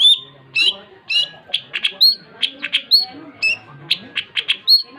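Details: Long-tailed shrike in active song, mixing sharp whistled notes with harsh rasping bursts in an irregular, rapid sequence.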